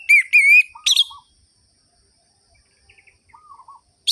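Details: Orange-headed thrush singing in the sharp, rhythmic ngerol-ngeplong style, meant to spur listless birds: two loud upslurred whistles, a harsh burst, then quiet low rolling notes, a faint high trill, and another loud note at the end.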